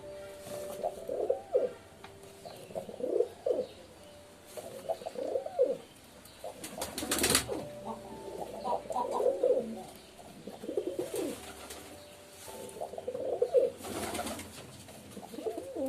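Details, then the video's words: Repeated pigeon coos, a rounded, rising-and-falling low phrase roughly every two seconds, with a sharp clatter midway and faint clicks behind. "Pigeon Sound Effect 🦅 Pigeon Sound 🦅 কবুতরের ডাক"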